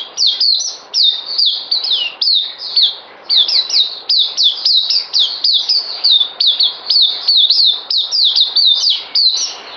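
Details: White-eye held in a cage, 9 December 2018, before a deworming dose, delivers nearly ten seconds of continuous chattering song: rapid high whistled slurs, many overlapping, in quick rhythmic groups.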